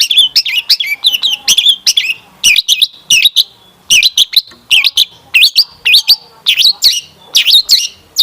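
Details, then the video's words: Long-tailed shrike in full gacor song, with rich fill-ins, played so other shrikes join in: fast continuous warbling of twisting high squeaky notes with only brief gaps. "Kicauan Cendet Memukau! Pancingan Cendet Gacor Full Isian Mewah"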